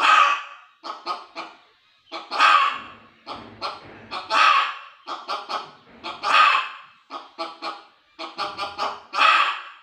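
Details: Hen giving loud, harsh calls: a long strained squawk about every two seconds, each followed by a quick run of shorter clucking notes, repeating in a steady, insistent cycle.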